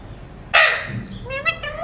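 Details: Alexandrine parakeet, a talking mutation, eating seeds: a sudden loud raspy burst, followed by rising, tonal, voice-like notes that swoop upward at the end.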